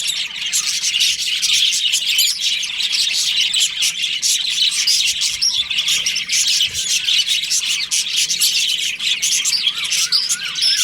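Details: Budgerigars of a breeding colony chirping in breeding season: nonstop overlapping high twitters and chattering warbles, with a few short rising squeaks toward the end.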